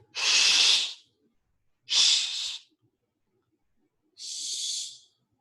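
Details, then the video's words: A barn owl gives three harsh, hissing screeches, each about a second long and spaced two seconds apart, with no other sounds. "So I'll play the call of barn owl."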